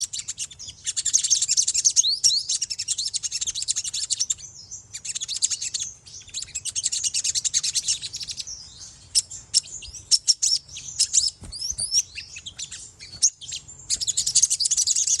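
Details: Olive-backed sunbird in the soft twittering style locally called ngriwik: dense, rapid, high-pitched chirps and thin upward-sweeping notes in bursts of two to four seconds separated by brief quieter gaps, with a low background hum.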